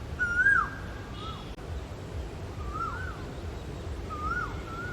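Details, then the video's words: Male Asian koel singing: a series of clear whistled notes, each rising then dropping sharply, repeated about every one and a half seconds over steady low background rumble. "Asian Koel Bird Singing | Cuckoo bird Sound | Koyal ki Awaaz"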